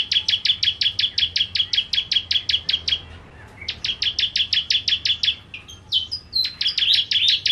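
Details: Bar-winged prinia (ciblek kristal) in lively 'nembak' song: long trains of rapid, high, staccato notes with one brief pause and a few varied slurred notes near the end.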